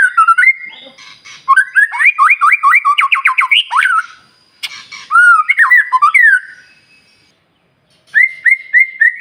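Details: Singing white-rumped shama, a lure recording to make other birds burst into song in the morning: slurred opening notes, a fast volley of repeated upswept whistles, pauses, then rolling phrases and short repeated calls.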